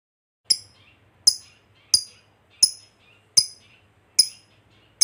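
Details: Lovebird ticking ('ngetik') to bait fighter lovebirds: sharp, high single chips at slightly uneven spacing of under a second, each trailed by faint softer twitters, with a low hum in the background.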